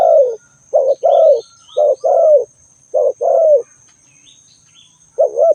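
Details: Spotted dove giving repeated mellow coo phrases, each a brief hoot then a drawn-out descending coo, about four phrases in quick succession; faint twittering of other birds and a constant high whine in the background.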